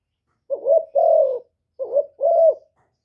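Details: Lure spotted dove in the single-ending cooing style, provoking wild birds: two phrases, each a short hooked note followed by a longer, soft, falling coo, about 1.3 seconds apart.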